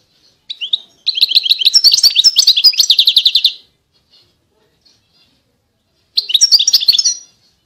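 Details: European goldfinch, 2020 recording: a short note, then a long run of fast chattering twitters ending in an evenly pulsed buzzy rattle, silence for about two seconds, then a further bright twittering burst.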